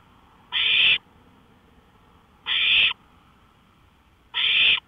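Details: Owl heard near a porch in the small hours of May 5, 2013, 1:53 AM: regular hoarse, hissing bursts, three in the span, each about half a second, separated by two-second gaps of near silence.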